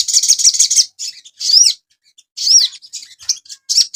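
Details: High, rapid chirping song of a Sogon bird, recorded as a master for training caged birds: a fast twittering burst, then separate slurred notes and short chirp groups with gaps of silence.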